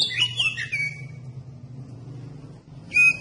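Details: Oriental magpie-robin song used to provoke other magpie-robins into singing: a short burst of whistled and chattering notes, a pause with faint low hum, then another brief whistled phrase.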